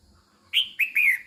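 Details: Female red-whiskered bulbul calling to excite males: three bright whistled notes in quick succession, two short downslurred chirps followed by a longer, slightly wavering whistle, with a quiet background.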